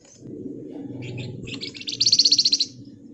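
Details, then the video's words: Pied fantail singing in a dense ngebren style, used as a lure and tutor song: high, thin notes build into a rapid, evenly pulsed chattering trill of about fourteen notes in well under a second, over a low background rumble. "Burung Flamboyan Gacor Ngebren Rapat Nyerecet"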